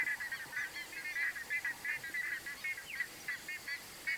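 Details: Buff-necked ibis (Theristicus caudatus), several birds, giving loud, nasal, honking calls in a rapid repeated series, about three to four notes per second, calling over one another.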